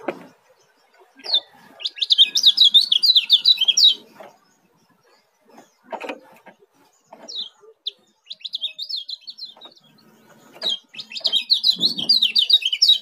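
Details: Junior Oriental white-eye (kecial kuning) from Lombok in speed song style, delivering three bursts of quick, high, jumbled twittering, each a few seconds long, separated by pauses with soft knocks and rustles.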